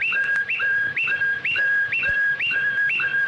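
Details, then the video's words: Tutoring song meant for teaching young birds: a clear whistle that jumps up and then drops to a held lower note, repeated about every half second, with a light hissing background. "تغريد طائر فلاوطا صالح لتلقين"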